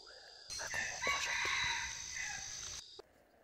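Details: Red junglefowl crowing during a hunt with a female decoy: one drawn-out, harmonic crow lasting about two seconds, overlaid by a steady high insect drone and some rustling.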